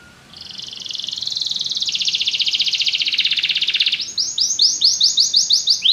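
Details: Canary singing: a long buzzy trill at steady pitch for about four seconds, then a run of rapid repeated upswept whistled notes, several per second.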